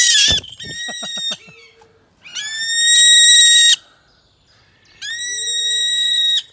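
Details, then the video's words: New Zealand falcon being called in: a burst of quick descending notes, then long, harsh, high screaming cries, each lasting over a second. "Calling the New Zealand falcon in."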